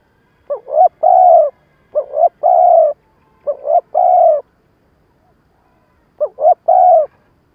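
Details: Decoy spotted dove calling in a stuttering coo style used to excite wild doves for trapping; four low cooing phrases, each two quick upslurred notes and a drawn-out coo, coming in close succession with a gap before the last.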